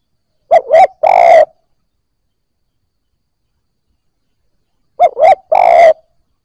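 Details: Newly captured spotted dove giving its coo to stimulate fresh captives: two phrases separated by about four seconds of silence, each a rapid double hoot followed by one longer low coo.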